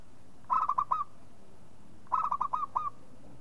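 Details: Local zebra dove calling, used as a lure recording: two quick bursts of five or so clipped, rolling coos on a steady mid pitch, about a second and a half apart, over quiet background hiss.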